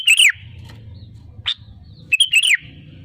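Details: Sooty-headed bulbul singing as a lure to prompt other birds into song: a bright warbled phrase, a lone sharp note, then another quick liquid burst of falling whistles, with a steady low hum behind.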